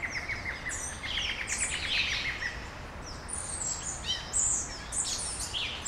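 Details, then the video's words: Morning birdsong in Brasília, Brazil, opening with a rapid string of repeated short notes, then scattered high chirps and whistled slurs from several birds over a faint hiss. "Passarinhos ao amanhecer, em Brasilia"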